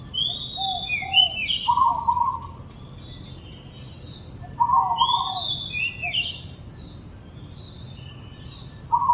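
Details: Oriental magpie-robin singing, praised as very beautiful: clear whistled phrases that sweep up and down, in three bursts a few seconds apart. Lower, steady hooting notes sound between the whistles.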